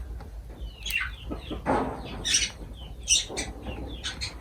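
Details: Lovebirds at feeding time give several brief, piercing chirps, spaced irregularly about every half second to second. Soft rustling and a low hum sound underneath.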